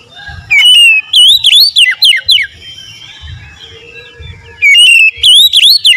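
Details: Oriental magpie-robin song of loud, clear whistled phrases that swoop up and down, delivered in two bursts separated by a quieter pause with soft low rumbling.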